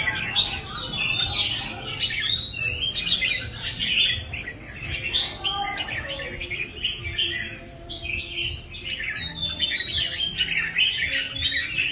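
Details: Red-whiskered bulbul pouring out a long, dense stream of warbling, jumbled notes with brief pauses, set against constant low background rumble.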